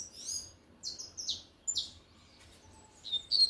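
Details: Lined seedeater singing in the tui tui style: scattered high, buzzy slurred notes at an easy pace with short gaps, ending in a brighter pair of whistled notes.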